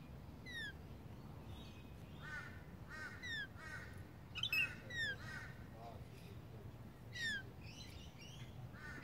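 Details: Rainbow lorikeets in south east Queensland, Australia, mixing harsh rasping screeches with sharp, thin, descending squeals, several birds calling in irregular bursts above a low background hum.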